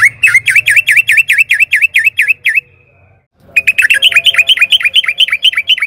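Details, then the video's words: Lure song of a sooty-headed bulbul (trucukan) for cage-bird training: a steady string of sharp, V-shaped notes repeated quickly, a short silence, then an even faster, denser chattering burst. "Pancingan trucukan gacor agar BUNYI jadikan BURUNG TRUCUKAN GACOR NYAUT EMOSI"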